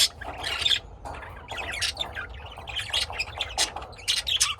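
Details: Pet lovebirds kept at home in Austin, Texas, USA, give sharp, high, broadband chirps and squawks in rapid bursts, with short pauses between clusters, over a steady low indoor hum.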